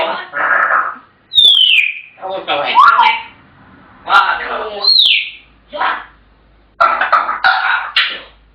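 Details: African grey parrots mixing word-like mumbling with sharp falling whistles that swoop down from high pitch, interspersed with clicks and brief pauses.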